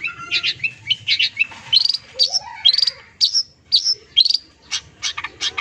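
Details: Long-tailed shrike delivering a fill-laden song for sound therapy of silent birds: rising whistled slurs and sharp chirps, spaced phrases with brief gaps and a few lower warbled notes.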